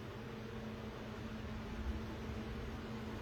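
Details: Constant low mechanical hum with fan-like hiss and no voices or calls.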